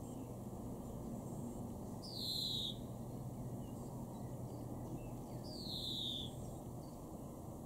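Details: European greenfinch (Chloris chloris) calling in a garden in Weener, East Frisia, northwest Germany, in May 2021: two drawn-out, high, downslurred wheezy notes about three seconds apart over a steady low rumble.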